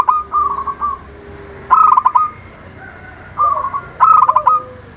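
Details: Zebra dove cooing to provoke rivals: rolling staccato coo phrases roughly every two seconds, accompanied by a lower, sustained background tone and a softer overlapping cooing voice.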